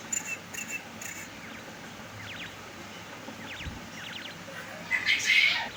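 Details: A male quail trained to call while held in the hand gives faint, quick groups of two or three sharp, clipped notes, repeated several times over soft background hiss, with a brief rustle at the end.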